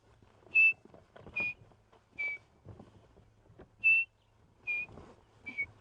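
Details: Chinspot Batis at sunrise on a September safari drive whistling clear, pure, slightly falling notes in two sets of three, under a second apart; vehicle engine hum and faint distant birds underneath.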